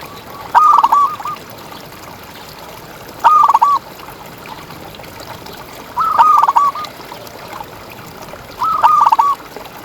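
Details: Tutor recording of a champion local zebra dove singing actively in the ngalas style: four evenly spaced cooing phrases roughly every two and a half seconds, each a brief purring run of low notes, with faint hiss behind.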